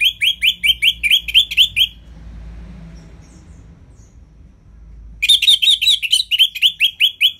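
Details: Orange-headed thrush song in ngeplong style for getting lazy birds to sing: fast series of sharp, repeated, identical whistled notes, about seven per second, pausing before a second run.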